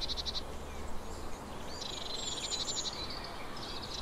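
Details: Eurasian blue tit uttering a short high stuttering trill, then after a pause a longer run of rapid pulsed notes with faint higher whistles, over low rumbling noise.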